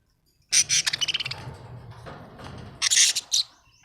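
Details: Budgies at home chattering in a quick run of sharp, rapid chirps, a short pause, then another loud burst of scratchy high notes, with a low hum beneath.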